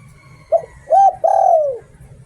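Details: One 'Liu Tan' phrase from a spotted dove used as a decoy: a brief soft note, an even mellow coo, then a long coo that slowly drops in pitch, with a low rumbling hum beneath.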